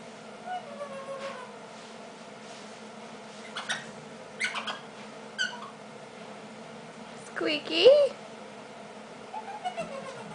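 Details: Young female Eclectus parrot, indoors, asked to do her squeaky, imitates a squeaky toy: short speech-like syllables, then a louder squeaky, rising sound near the end, over a quiet murmur of human voices.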